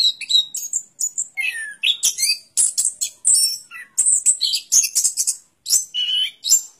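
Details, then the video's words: Rapid, varied song of an orange-headed thrush, mixing high shrill notes, short trills and a few descending slurred whistles, delivered in dense bursts with brief pauses. "Suara Burung Anis Kembang"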